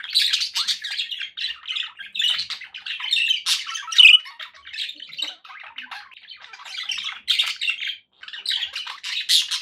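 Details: Budgies kept for company producing steady, busy chatter of scratchy squawks and tinny chirps, many short notes packed together over several seconds.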